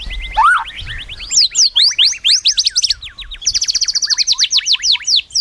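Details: White-rumped shama, a kept songbird: a low rising whistle opens, followed by sweeping upslurred notes and a rapid high rattling trill.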